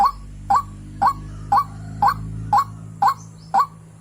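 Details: Female white-breasted waterhen calling a male, used as a lure. Short upward-sweeping whistled notes repeat twice a second with steady rhythm, over a constant low electrical hum.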